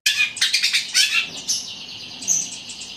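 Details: Caged long-tailed shrike (cendet) in a loud, fast song imitating fighting sparrows: dense bursts of sharp, high chirps and squeaky notes tumbling together, then a thinner whistled trill near the end.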